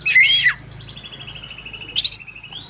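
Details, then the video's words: Oriental magpie-robin in the morning, played to coax reluctant magpie-robins into song: a sweeping whistle, then a long, slowly falling rapid trill broken by one bright high note. "suara burung kacer gak ada ahlak"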